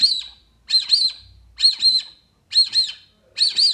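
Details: Brazilian teal, locally called marreca ananaí or pé vermelho, calling while being attracted with playback; high, clear whistled notes in quick doubled pairs, with five pairs spaced roughly a second apart and near silence between them.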